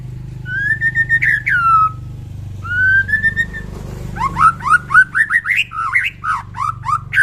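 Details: White-rumped shama in morning song to stir fighting spirit: loud rich whistled phrases with falling slurs, then a fast run of varied chopped notes with sharp clicks, low hum in the background.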